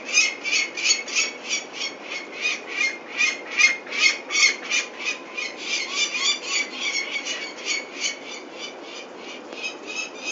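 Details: Peregrine falcon at its Venlo nest site, 21 May 2024, as the chicks are taken for ringing, calling in harsh, grating notes, repeated quickly at nearly three a second for ten seconds without pause.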